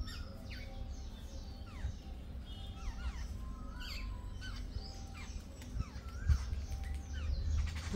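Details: A group of jungle babblers calling together, overlapping squeaky notes that slide steeply downward, with many birds chattering at once over a steady low rumble.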